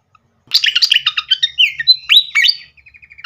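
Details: Flycatcher (srikatan) lure song used to make birds answer: rapid chattering notes, then clear whistled slurs rising and falling, ending in a short series of soft repeated chips.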